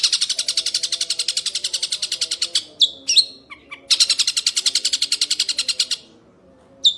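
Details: Young shrike giving long chattering calls: rapid harsh notes repeated about four per second in sustained runs, broken by a few sharp squeaky notes and a brief pause.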